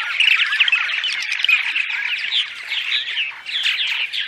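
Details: Purple martins in daytime chatter, played to lure martins to nest houses during migration: a dense, continuous stream of gurgling, croaking chirps and squeaky rising notes from several birds, with no other sounds.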